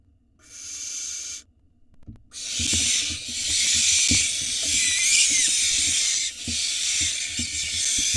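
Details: Barn owl nestlings in a nest box in Israel, live camera, begging excitedly as the father brings food: a short hiss, a pause, then a long continuous broad rasping hiss with brief breaks and soft knocks.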